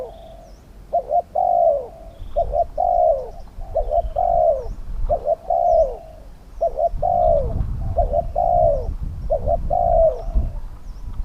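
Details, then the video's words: Spotted dove, a caged decoy set out to lure wild, medium-voiced doves. A steady run of coo phrases: paired clipped notes, then a long descending coo. Low rumbling background and faint high bird chirps. "ต่อนกเขาใหญ่ ต่อเพนียดเถรเปือย กับเซต็ปนกป่าเสียงกลาง"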